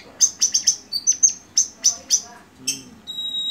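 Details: Medan white-rumped shama, bowing while singing a full, lively repertoire: bright high chirps and clipped whistles in a rapid irregular burst, a brief lower note, then long steady pure whistled tones over a faint background hum.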